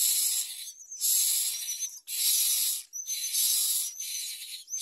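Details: Common myna chicks at the nest with their mother, begging while being fed and trying to bite her: harsh, hissy, broadband rasps in long bursts about a second each, with thin high whistled notes between bursts.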